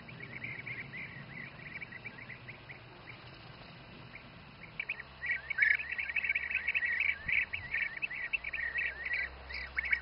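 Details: Bee-eaters feeding youngsters in the Přerov region, Czech Republic: faint rolling calls over low rumble early on, then a dense chorus of overlapping trilled calls from about five seconds onward.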